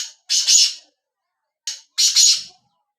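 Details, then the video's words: Black francolin (kala tetar) giving two harsh, grating call phrases, each a short lead note followed by two loud buzzy bursts, separated by a second of silence. "kala tetar ki awaz"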